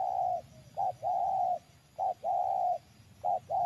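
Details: Spotted Dove cooing during afternoon trapping with a decoy dove in a garden plantation: a short note, then a longer steady hoarse coo, repeated in two-part phrases about every 1.2 seconds. Low background hum.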